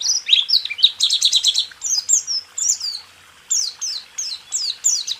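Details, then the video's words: Caged-songbird training recording of white-eye song: mixed high chirps and a rapid trill, followed by spaced sharply downslurred whistles repeated about every half second. "Masteran burung pleci..rool tembak"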